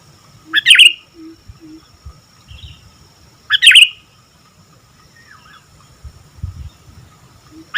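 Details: Sooty-headed bulbul in active song, giving short loud chirpy bursts about every three seconds, each a quick bright double note, with faint softer chirps between and a low background hum.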